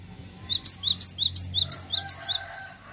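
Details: Cinereous tit singing a fast rolling series of about ten high, bright doubled notes at a steady pace, a faint lower hum behind.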